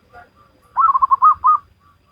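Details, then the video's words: Single Salendro-rhythm phrase from a local wild zebra dove: a burst of quick bubbling coos that slows into two longer, rounded whistled notes, over faint low background noise. "Perkutut Lokal Alam Manggung Gayer Irama Salendro"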